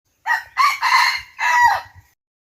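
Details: Wild red junglefowl crowing: a four-part crow lasting under two seconds, harsh, rich in harmonics, with short opening notes and a longer, drawn-out final phrase; faint low thumps underneath.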